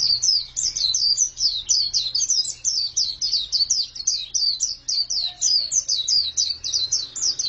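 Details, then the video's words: Loud, steady twittering from a female white-eye: high sharp notes repeated rapidly and evenly throughout, over a faint low electrical hum. "Pleci betina sangat bagus suaranya"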